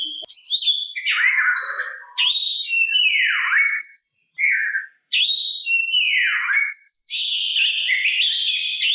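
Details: Oriental magpie-robin (kacer) song used to lure other magpie-robins into replying: loud whistled phrases with falling swoops, short clear notes and a burst of rapid buzzy chatter near the end, one short silent gap.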